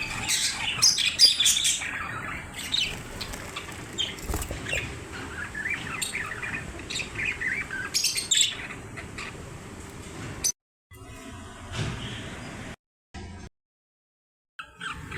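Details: Budgerigars chatter in fast, scratchy warbles and chirps that tumble over one another, chirping that attracts other budgerigars.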